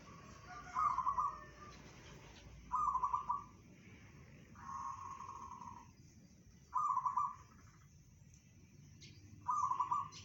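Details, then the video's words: Local zebra dove singing in the bedah karang style, said to carry 500 meters: a soft, rolling trilled coo near one pitch, given in short bursts about every two to three seconds over low background hum. "perkutut lokal suara bedah karang tembus 500meter"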